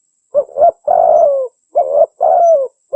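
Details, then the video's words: Spotted dove call meant to lure wild doves and train kept birds: paired short coos followed by a long burred, downward-sliding coo, phrase repeated twice. "SUARA BURUNG TEKUKUR (DERKUKU) PIKAT PALING TOP | GACOR"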